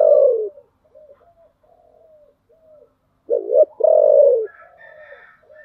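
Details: Deep-voiced 'thổ' spotted dove decoy luring wild birds. A loud coo tail opens, faint murmuring coos follow, then one full phrase: a short quavering double note and a long steady coo, with fainter higher calls after.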